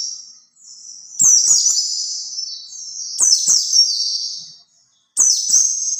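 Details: Lure song of a white-eye for attracting other white-eyes, with high, rapid warbled phrases that begin with sharp notes and trail off, repeated about every two seconds.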